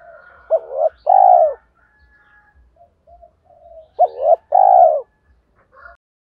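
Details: Spotted dove calling coo used as a lure for wild doves: two deep, two-part coos around four seconds apart, each a short note then a longer throbbing one, with a faint higher wavering call between them.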